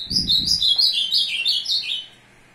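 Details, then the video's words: Azulão (ultramarine grosbeak) singing to court a female, recorded 02/06/2022: a quick warbled phrase of bright whistled notes stepping downward in pitch for about two seconds, with soft low thumps near the start. "azulão cheriff aprontando fêmea"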